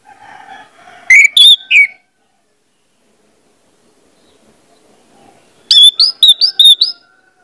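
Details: Lure recording of an orange-headed thrush: a short burst of loud, sharp rising whistles, a long silence, then a quick series of five or six bright, slurred high notes.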